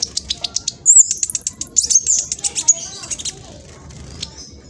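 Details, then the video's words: Juvenile speckled black sunbird from East Java, Indonesia, used to provoke other birds into song. A string of evenly spaced high ticks leads into a fast twittering burst, then fades to quiet. "PANCINGAN KING KONIN TROTOL AMPUH BUAT KING KONIN LAIN CEPAT BUNYI"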